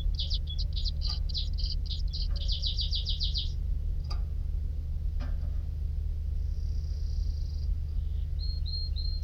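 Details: Canary singing: a fast, even trill of bright high notes for about three seconds, then a pause, a long thin whistle and a few short high chirps, all over a loud steady low hum.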